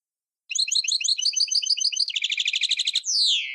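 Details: Goldfinch from Tunisia singing an old tarqa-style phrase (Sahnoun Sfaxi): a long chattering run of high notes, then a faster rattling trill, finishing with a loud falling slurred whistle.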